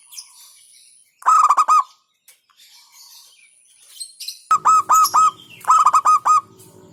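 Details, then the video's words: Local zebra dove in a hentakan-style song said to provoke rivals: three bursts of quick, evenly pulsed cooing notes over a low buzzing hum in the later part, with faint high chirps. "Hentakan Burung Perkutut LOKAL Suaranya Berkelas bikin Emosi Lawan"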